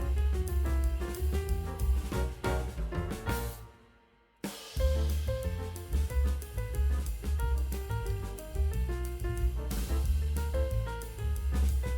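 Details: Full-band music with a driving drum kit and heavy bass fills the whole clip, broken by a brief silent gap just before the midpoint; no animal voice is heard.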